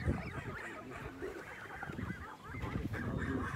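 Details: A group of farm-raised Kholmogory goose goslings, late May 2020, giving a steady stream of overlapping wavering whistled notes, with low handling and background rumble beneath.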